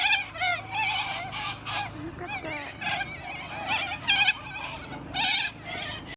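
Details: Wild flock of white cockatoos in trees at a park in winter, loud harsh screeching calls overlapping from several birds, rising and falling in rough bursts almost without pause.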